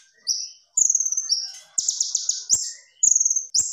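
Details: Purple-throated sunbird (kolibri ninja) in full tembakan: high clear whistled notes stepping up and down, a dense buzzing trill at the centre, then further whistles and a final rising note.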